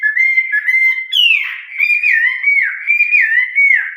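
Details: Continuous 'giọng rừng già' (old-forest voice) song of a Chinese hwamei: loud, unbroken whistled warbling, rising and dipping in quick slurs, rich and melodious throughout.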